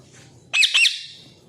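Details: Pet parrot kept at home for two years, one of four, some of which talk clearly; a single harsh, high squawk in two quick pulses, then quiet room noise.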